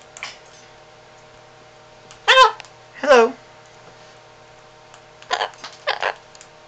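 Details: Yellow-collared macaw, an 8-year-old, speaking indoors: two harsh, harmonic speech-like utterances close together, then a pair of shorter raspy bursts, over a quiet indoor hum.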